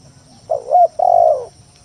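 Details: Spotted dove lure song, aimed at provoking rivals to answer: a single phrase, a wavering short coo then a longer, level-to-falling low coo, clean and close.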